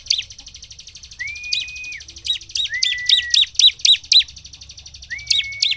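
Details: Vigorous bar-winged prinia song, used as a lure to get other prinias singing: quick hooked chip notes in tight runs over a faint high buzz, broken by three long, flat whistled tones.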